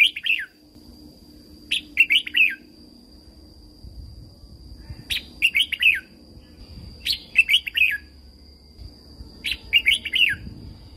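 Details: Red-whiskered bulbul in Thailand, a caged bird whose song is used to train and excite other caged birds: short fluty phrases of four or five rapid warbled notes, repeated every two to three seconds, with a steady faint background tone.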